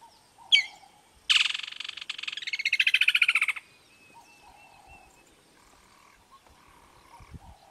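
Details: Woodland kingfisher calling from a tree in Kruger National Park in summer: one sharp high note, then a loud, rapid trill of pulses about two seconds long sagging slightly in pitch, over a faint steady insect-like hum.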